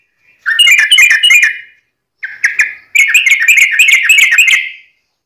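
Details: Wild yellow-vented bulbul in fighting-style, rapid song: bubbly, warbled phrases around two bursts, each a quick string of chattering notes, with a short pause between them.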